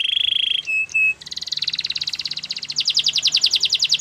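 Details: Canary song meant for training: a buzzy roll and two short pure whistles, then a rapid rattle that climbs into a loud, fast high trill of evenly repeated syllables over soft background hiss.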